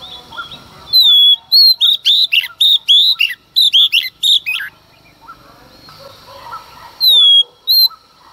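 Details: Female Oriental magpie-robin singing in the early morning to provoke males: a loud, clear descending whistle, then a quick run of sharp, varied whistled notes; another whistle follows near the end over faint low chirps from other birds.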